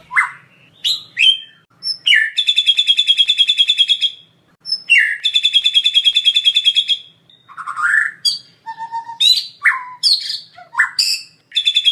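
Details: Murai batu lure song, full of isian: short downslurred calls alternate with two long rattling buzzy trills, followed by a varied string of sharp whistles and chips.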